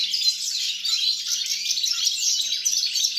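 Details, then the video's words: Short burst of European goldfinch song from 29 December 2022: busy high twitters and rippling trills, steady in loudness throughout. "GOLDFINCH SONG"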